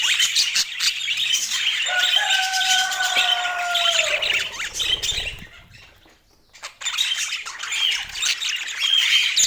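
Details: Budgerigars giving dense, rapid chattering warbles and squeaks, broken by two long steady whistled tones in the middle and a short quieter lull before the chatter resumes.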